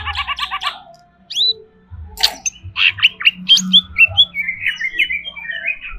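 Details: Caged greater green leafbird singing in an agitated mood, opening with a stacked buzzy rattle, then sharp chips, whistled slurs and a fast chattering trill.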